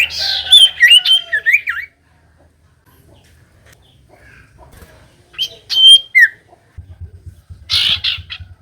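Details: Common iora song meant to provoke lazy birds into answering: a quick run of sweet chirps and falling whistles, a long quiet gap, then a brief bright note, a downslur and a final buzzy burst over faint hum.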